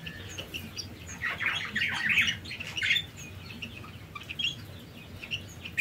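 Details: Canaries busy building and finishing their nest to lay eggs: a cluster of harsh, squawky chirps between one and three seconds, then scattered thin high notes over a low background hum.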